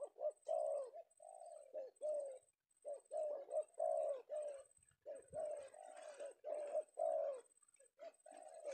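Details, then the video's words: Spotted dove, a male Penguku bird secured in Indonesia in the afternoon, cooing continuously in short hoarse phrases with brief breaks, one faint thump midway. "Target Penguku berhasil kita amankan idaman para pemikat"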